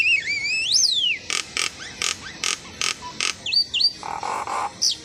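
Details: Asian pied starling singing a varied medley: looping whistled notes rising and falling, then a run of about eight harsh, evenly spaced rasping bursts, followed by twisting whistles and a lower grating phrase.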